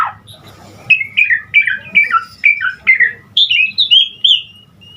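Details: Asian pied starling (jalak suren) delivering 'gacor' song to stimulate starlings to sing: a regular series of paired, falling whistled notes, then a higher run of slurred whistles, with a faint hum in the background.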